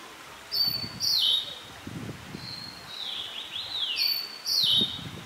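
A liocichla gives clear, high whistled phrases that slur downward, repeated three times over five seconds, with faint low thumps underneath.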